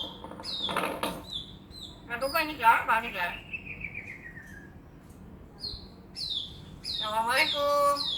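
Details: Common hill myna that talks, says assalamualaikum and coughs like a human, mixing harsh speech-like bursts with clear whistles and a long falling slurred note, ending in a loud raspy voice-like phrase.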